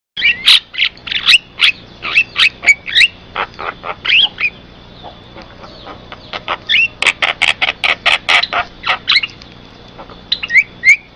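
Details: Black-winged starling song used as a lure for other starlings and as a tutor recording, a busy run of harsh chattering notes mixed with short whistles, dense in the middle, over a steady electronic hum.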